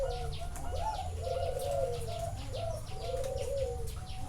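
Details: Zebra dove singing live at a bird farm in Chana district, Thailand: rapid bubbling coo phrases that rise then trail off, repeated about every second, over a faint steady tone and light high twittering.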